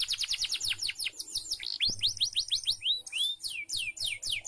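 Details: Canary singing in a recording made to encourage caged birds to sing: a rapid trill of falling notes slows into spaced, arching whistles, some rising, with a faint low hum beneath.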